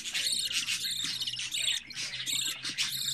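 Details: Home-bred budgerigar chick on its fourteenth day, calling with insistent buzzy high cheeps repeated about twice a second, steady and continuous over a low murmur.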